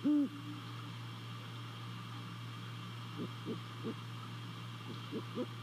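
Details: Great horned owl at a nest in Savannah, recorded by nest camera on December 28 at night: one brief deep hoot at the start, then faint short calls at intervals, over a continuous low hum.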